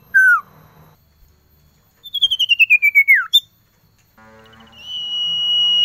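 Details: Calling male common iora seeking a female, cold season: a short dropping note, then a fast cascade of about ten whistled notes stepping downward into a slurred fall, and finally a long even whistle that swells louder.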